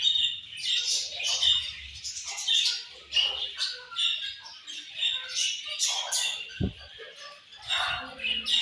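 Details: Chirping Australian budgie parrots fill the air with pulsing bursts of high, scratchy warble roughly every second, plus a single sharp click in the middle and light rustling.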